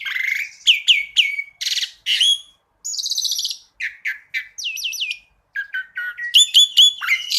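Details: Asian pied starling masteran (tutor) song in the tembakan style, full of variation: separate whistled and buzzy notes, some rising and some falling, broken by short pauses, with a harmonic rattle near the end.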